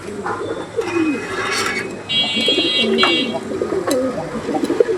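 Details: Native old-blood high-flyer pigeons keep up a busy chorus of low, burbling coos, with brief human voices and a steady high electronic-sounding tone partway through.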